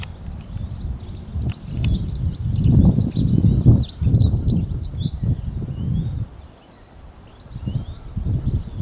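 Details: Dunnock singing: one high, clear, fast warbling phrase lasting about three and a half seconds, without trills, heard over strong low rumbling background noise that continues after the song ends.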